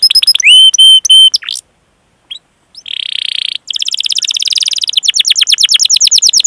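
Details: A canary sings a lure song meant to train other canaries, with long 'cuit cuit' chirping and rolling passages: sharp whistled notes, a brief buzzy note, then fast rhythmic trills repeated about three times per second.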